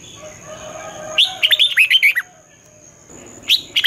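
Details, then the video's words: Red-whiskered bulbul morning fighting song in the 'giọng xoắn' style, used to train birds to sing. After a low background hum, one rich phrase of about eight quick, looping whistles plays, then a second phrase begins, over a constant faint high tone. "luyện chào mào hót sáng, Giọng xoắn hay dùng để ép bổi, Má trắng học giọng rất hay, chào mào hót đấu"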